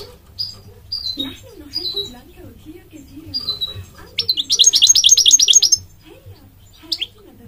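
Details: Migratory goldfinch singing: short descending whistled notes, then a rapid buzzy trill of about a dozen pulses, ending with one more sharp note, over a low wavering hum.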